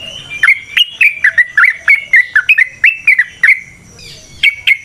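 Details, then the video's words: Yellow-vented bulbul (trucukan) in a long, busy 'ropel panjang' style of song, used to lure other bulbuls into singing. Bubbly, slurred chirps come in quick succession, with a short pause near the end. "Trucukan GACOR ngalas ROPEL PANJANG suara alam AMPUH buat pancingan"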